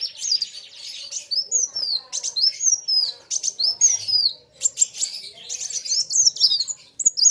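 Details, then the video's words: Kolibri wulung sunbird competing in song with an equally loud opponent; high, thin downslurred whistles alternate with crisp clicking bursts, the two birds' phrases crowding one another. "BURUNG KOLIBRI WULUNG NARUNG GACORR KETEMU LAWAN SAMA" GACORR..RAMAII"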